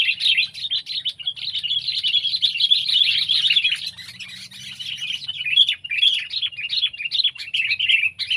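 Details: Indonesian sooty-headed bulbul, pet or wild, giving a continuous lively chatter of warbled, bubbling notes that rise and fall quickly without pause, with a faint low hum beneath.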